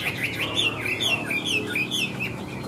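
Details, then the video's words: A large, yellow-legged, yellow-billed caged Chinese hwamei, brought in around midnight the night before and hung out that morning, sings a fast, unbroken run of loud, varied whistles slurring up and down in bright, rich phrases, recorded close up indoors. "Chim Họa Mi Hót"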